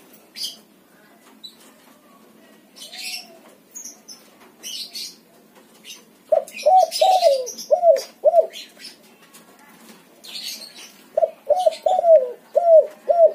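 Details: Spotted dove of a white backspot colour form cooing in two bursts of five or six soft, hollow, falling notes, separated by a quiet stretch with scattered high chirps and twitters of other small birds.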